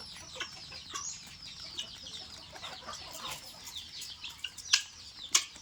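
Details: Guineafowl feeding in Assam: continuous high, rapid chirping and chattering from several birds, with quick downward-sweeping notes and two sharp loud clicks near the end.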